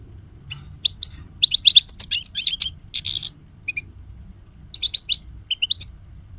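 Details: Singing European goldfinch, recorded as a tutor for all kinds of birds: lively, high twittering phrases with a buzzy, rasping note mixed in, a short break, then further bright chirp clusters; soft low background hum throughout.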